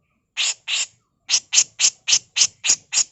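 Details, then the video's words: Female grey-cheeked bulbul, recorded as a master tutor song: two longer rasping notes, then a steady run of six harsh scratchy bursts, about three per second. "Masteran Burung CUCAK JENGGOT FULL MBESET KASAR || Cucak jenggot betina"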